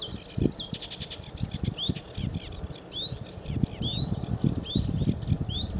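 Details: Sedge warbler singing at Newport Wetlands on 29 April 2015: a run of short, sharp chirps and rising whistled notes repeated at a steady pace, over low rumbling background noise.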